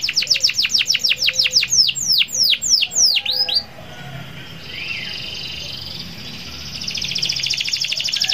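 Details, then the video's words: Canary singing in a lively, active style used to prompt other canaries to sing: rapid repeated downward-sweeping high notes for about four seconds, then quieter buzzy trills and a soft rattling series. "Burung kenari gacor bagus untuk pancing kenari agar ikut gacor"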